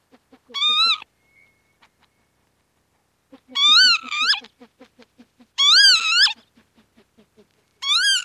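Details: Northern lapwing giving loud, wheezy, slurred calls with a wavering, slightly rising-and-falling pitch, each lasting about half a second to a second and repeated roughly every two to three seconds, over a faint, steady, low ticking pulse.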